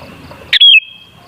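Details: Sooty-headed bulbul song used to provoke bulbuls: one brief bright whistled phrase, a sharp note then a smooth sliding whistle, over quiet background.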